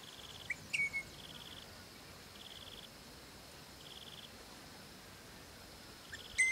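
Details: Crimson Rosellas of a long-resident pair calling to their young on a property: short, clear whistled notes with a bright overtone, near the start and again at the end, over a steady background of pulsed insect trills.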